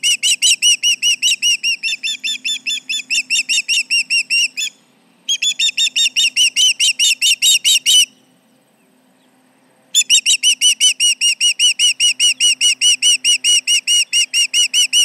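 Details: Near the Charlo osprey nest, 29 July 2019 at 11:30am, an osprey alarms at intruders: long volleys of shrill whistled yelps at a brisk steady pace, interrupted by two brief silent gaps before resuming.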